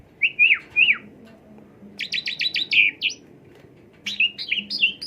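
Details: Asian pied starling song played as a lure to stimulate another bird: two looping whistled notes, then a quick run of six sharp rising chips and a buzzy phrase, followed by a burst of varied whistled notes, with a low hum beneath.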